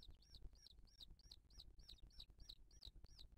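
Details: Booted eagle at its nest in 2023, filmed by a live wildlife nest camera as the mother feeds a chick. About ten high, arched whistled notes repeat steadily, roughly three per second, over low background rumble.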